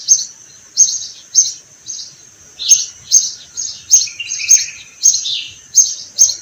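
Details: Spring sparrows calling beside flowering orange trees, a busy series of quick, high, chattering chirps, some overlapping and a few dipping lower, suggesting more than one bird, with a faint continuous high hum.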